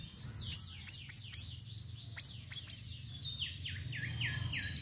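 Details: Sirisiri, lively song variations used as a lure: four bright, piercing chirps about a third of a second apart, followed by a quieter chatter and a string of descending slurred whistles, over low background hum.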